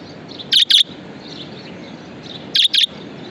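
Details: Budgerigar kept as a pet, sounding a doubled, scratchy chirp, then the same two-note burst again two seconds later; faint background chatter and low hiss fill the gaps.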